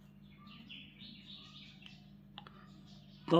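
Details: Pet parrot making a short burst of wavering, squeaky chirps over a low hum. Followed by a pause, a faint click and a sudden loud thump at the very end.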